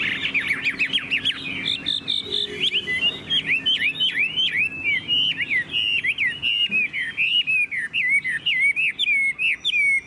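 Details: Tame Chinese hwamei kept in a cage, singing nonstop like a machine: a long, fast, varied warble of high twisting whistles and trills, densely packed, with hardly a break over ten seconds.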